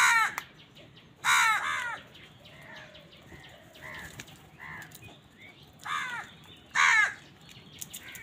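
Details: Many crows on a winter morning, fighting for food. Harsh, cawing calls come in loud clusters of two or three, with quieter caws from farther birds in between. Steady background hiss.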